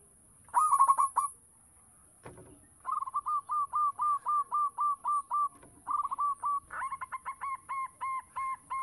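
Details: Local zebra dove calling eagerly as a lure song: a loud rolled coo burst, a short gap, then long runs of quick, regular cooing notes that grow brighter toward the end, with a continuous faint high tone.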